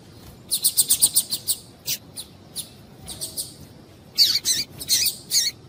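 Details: Double-collared seedeater pair, a male of the tuí-tuí style and a calling female, used to warm up singing: rapid even chips repeated about eight times, then scattered louder harsh bursts.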